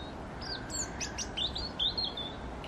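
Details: European robin singing in January (9 Jan 2020) at Yarrow Valley Park, Chorley: a thin, high, wavering phrase of quick sliding notes and trills over a steady low background rumble.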